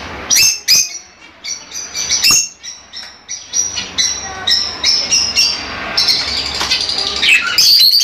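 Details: Lively shrill chatter of Fischer's lovebirds, meant to stimulate breeding; sharp high chirps that build into a continuous squeaky stream toward the end.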